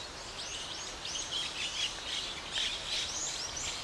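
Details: Gray starling in Ginga no Mori woodland, Sagamihara, Japan, while handling a small lizard prey; dense overlapping squeaky chirps and arched notes run throughout, several callers possibly mixed, over soft outdoor background noise.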